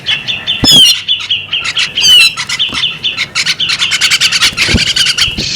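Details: Female bearded magpie robin delivering rapid chirps at a fairly constant pitch, broken by two high rising-falling whistles, then a quickening series of short clicking notes.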